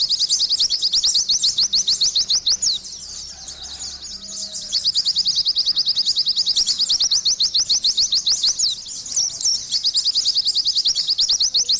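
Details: Long, dense run of Oriental white-eye song, played as therapy for stressed or silent pleci: continuous high, sharp twitters delivered very fast, with one short quieter dip, otherwise unbroken chattering.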